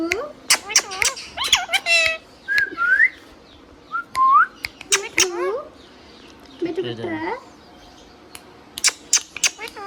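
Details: Hand-tame green parrot alternating talking and whistling: speech-like harmonic syllables, two clear rising whistles, a rough low phrase, and scattered clicks between pauses.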